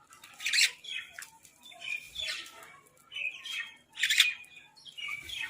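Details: Crows fighting for food: harsh, raspy squawks come in bursts about every one to two seconds, with quieter chatter between them.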